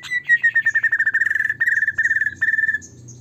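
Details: White-rumped shama in full, vigorous song, played as a lure to provoke other shamas to sing and become agitated: a rapid run of short, even chipping notes at one pitch, roughly a dozen per second, with a faint low hum beneath.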